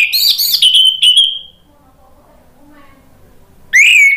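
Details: Orange-headed thrush (anis merah) singing ngeplong style, kept as therapy for birds that stopped singing: a burst of rapid high whistled notes ending in a long drawn whistle, a quiet gap, then a new bright whistled phrase.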